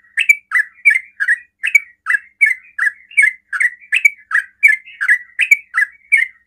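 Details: Rapid 'ropel' song of a sooty-headed bulbul, used to provoke rival bulbuls into replying; a continuous run of loud, slightly buzzy chirped notes, alternating higher and lower, around three per second.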